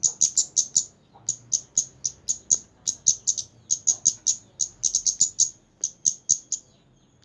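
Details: Kemande in vigorous song, repeating piercing high-pitched chip notes in quick bursts of three to five, separated by short gaps; quiet low rumble underneath.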